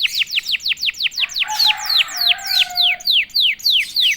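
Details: Canary in full song after one prompt: steady series of downward-slurred whistled notes, about four per second, with a soft low whistle sustained underneath midway.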